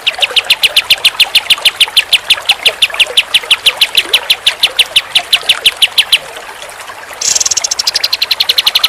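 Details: Pied triller giving a long run of sharp, high chirped notes repeated about three per second, a brief pause, then a higher, buzzier stretch of faster notes.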